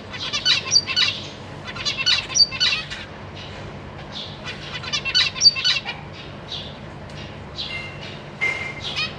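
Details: Zebra finch young, three juveniles and three newborns, begging as their parents feed them in a big cage, April 2023: dense, rapid high chattering notes in bursts, with a few longer tones near the end.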